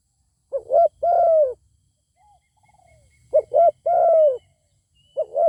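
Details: Zebra dove in a song contest with a wild bird that won't come down to fight, voicing two full cooing phrases of short double notes and a long arched coo, with a faint distant call in the pause between them.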